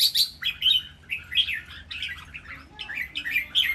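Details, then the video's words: Caged red-whiskered bulbuls singing a lively doubled-phrase master song for counting phrases: bright warbled notes in quick bursts, repeated roughly every half second. "นกกรงหัวจุก เจ้าขุนอินทร์ VS เจ้าขวานฟ้า VS เจ้าขุนไกร เสียงร้องเล่นเต้นริกเบิ้ล นับดอก แม่บท"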